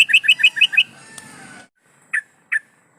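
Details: Calling to males, a breeding-condition female yellow-vented bulbul, played as a lure, gives a quick run of five bubbly notes, a faint pause, then two separate clear notes.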